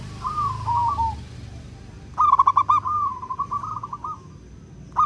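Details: Perkutut, a local wild-type zebra dove, in clear crystal-toned song used to lure birds: a soft trill, then a loud burst of quick stuttering coos running into a long wavering note.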